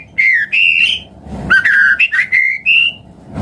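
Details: White-rumped shama singing as a lure for other birds: long clear whistled notes, some slightly rising, joined into phrases with short breaks, background quiet apart from faint hum.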